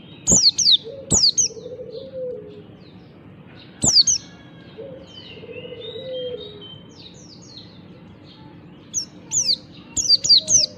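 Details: Oriental white-eye singing in the morning, used to prompt other white-eyes to sing: sharp high descending whistled notes in short bursts, with long pauses between, over a low steady hum.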